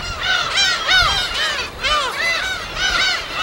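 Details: On an uninhabited West Sea island colony, many gulls cry together: repeated groups of squealing, down-slurred calls arriving about every half second, from a large gathering of birds.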